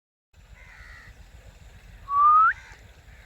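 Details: Pet Rose-ringed Parakeet (blue or kiwi ringneck) in talking mode gives one loud, rising, slightly harsh call lasting under half a second, after a softer steady tone, with low background hum.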